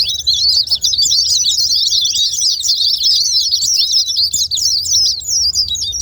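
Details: White-eye song played to provoke quiet white-eyes to sing: a dense, continuous stream of rapid high twittering notes, jumbled chirps and trills without pause.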